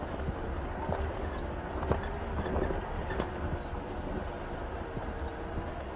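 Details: Low engine rumble and wind from a safari vehicle during an evening drive, with faint clicks and no clear animal voice.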